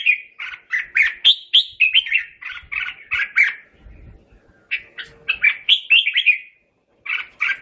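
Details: Red-whiskered bulbul calling the flock with rapid chattering whistles, around four notes per second, in two phrases split by a short quiet stretch with faint low rustling.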